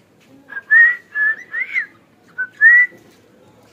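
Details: A hand-tamed cockatiel whistles a short phrase of clear, mid-pitched notes, a few sliding upward, then pauses before two more notes. The room is otherwise quiet.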